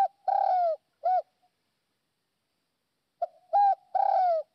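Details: Northwest Vietnamese decoy spotted dove with a fine voice: the end of one phrase, a long falling coo and short final coo, then after a pause a fresh phrase with a short opener, clear coo and drawn-out coo. Quiet setting.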